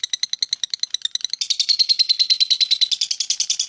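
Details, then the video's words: Lovebird in long continuous chatter, a rapid run of harsh rattling notes about three per second-fraction, steady and dense, shifting after a second and a half into a louder, more buzzy stretch. "LOVE BIRD NGEKEK PANJANG 2 MENIT LEBIH"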